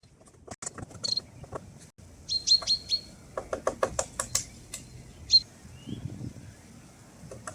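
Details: Great spotted woodpecker recorded in Pärnu on 6 May 2026: sharp, dry clicking notes given irregularly, some in quick clusters, with a high thin whistle from another bird and soft low background rumble.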